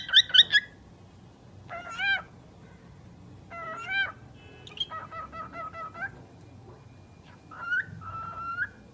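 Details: A talking bird makes a fast triple chatter, then several raspy, voice-like syllables with stacked harmonics, and ends with short whistled tones that slide upward.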